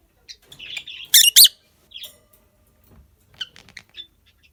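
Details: Peachface lovebirds of both sexes in a colony with new babies, a run of buzzy chirps rising into two loud harsh squawks, then softer scattered tweets.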